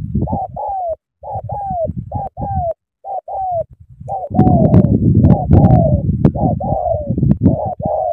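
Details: Spotted dove from Cà Mau, Vietnam, cooing vigorously: short, slightly falling hoarse notes, often in pairs, repeated quickly over eight seconds with steady low thumping and rustling beneath.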